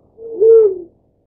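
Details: Black-chinned fruit dove, while feeding a chick, giving one low, soft hoot that swells and then fades over under a second; the surroundings are otherwise quiet.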